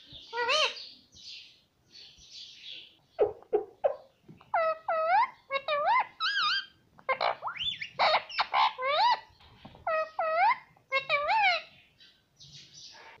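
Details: Parrot talking and calling, said to repeat mummy: a busy string of clear harmonic rising and falling notes and short voiced syllables in quick bursts, some paired and some run together, with brief pauses.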